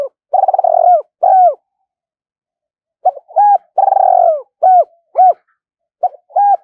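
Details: Spotted dove used as a lure, calling to provoke wild doves into a fight: two phrases of arched coos and long pulsed, falling rolling coos, separated by about a second and a half of silence.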